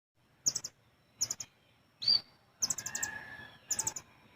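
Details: Olive-backed sunbird, a caged bird singing in a rapid full-besetan and tight tembakan style used to train other birds: short high chirpy bursts of three to five notes, repeated about every second, with one sharper whistled note in the middle.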